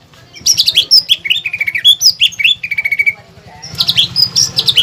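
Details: Greater green leafbird (cucak ijo) in full song, a tutor and prompting recording filled with pelatuk bawang phrases for contest training; high sliding whistles and rapid chirps in quick bursts, a pause, then a fresh burst of whistles.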